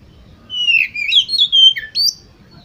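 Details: Oriental magpie-robin song used as a lure to get competition birds singing: a short run of loud, varied whistled phrases, some sliding up and down, with a few sharp higher notes near the end.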